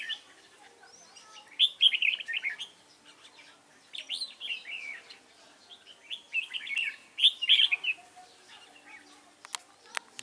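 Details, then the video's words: Red-whiskered bulbul singing during trapping with a lure bird on 29 June 2018: three main bursts of rapid, bubbling warbled phrases separated by quieter gaps, a couple of sharp clicks near the end. "Bẫy chào mào"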